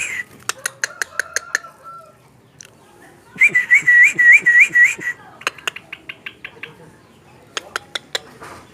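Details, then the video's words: Very tame sooty-headed bulbul mimicking raja perling, long-tailed shrike, lovebird and white-rumped shama: a wavy whistled phrase of about six rising-falling notes, framed by rapid runs of sharp dry clicks before and after. "Burung Trucukan sangat jinak dan bisa tirukan burung raja perling, cendet, love bird, murai batu"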